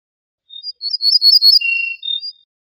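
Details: Song of an Ortolan bunting, Moroccan name al-bouh al-fassi. Sharp high notes build into a bright jingling run, drop to a sustained lower whistle, then end with a couple of extra high notes. Clean background.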